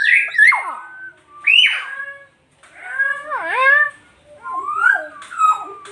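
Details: Nias hill myna singing: a varied run of loud, clear whistles with strong harmonics. Steep downward slurs, a nasal dipping note and rising whistles come in bursts separated by short pauses, in a quiet indoor setting.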